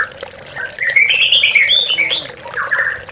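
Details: Oriental magpie-robin lure song meant to make caged birds sing: a short warbled passage of scratchy, slurred whistles, louder in the middle, with a soft water trickle behind.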